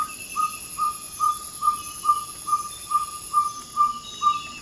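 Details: Before dawn in Ecuador's Amazon rainforest, a ferruginous pygmy owl repeats its territorial advertising call, ten clear, identical 'toop' whistles at a steady pace of roughly two per second, with a faint shrill insect drone behind.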